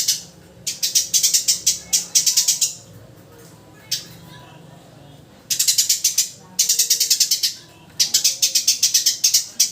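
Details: Sparrow chirping in rapid bursts of bright, high, evenly spaced notes, several runs of a dozen or more separated by brief pauses, with one lone chirp in a gap.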